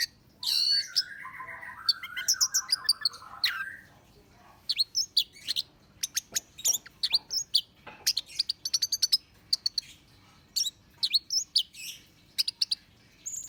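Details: Orange-headed thrush singing as a lure to provoke birds: a long rolling warble at the start, then many quick, sharp high chips and twittering notes in irregular clusters.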